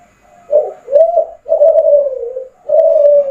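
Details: Kelantan-style song of a spotted dove (derkuku) in full voice: a brief upturned coo, a wavering second note, then two drawn-out soft coos gliding gently downward.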